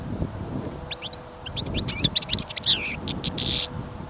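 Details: European goldfinch, a caged bird kept for listening, sings outdoors in snow and wind. After a quiet start a quickening run of thin chips builds into a buzzy, scratchy flourish, with wind gusting beneath.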